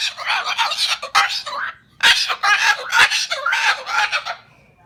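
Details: Male Moluccan cockatoo (Cacatua moluccensis), pet, gives harsh, raspy screeches in two long loud bursts of grating squawks, angry at having his "nest" of fruit and vegetables on the kitchen table cleaned; he had just nipped an ankle.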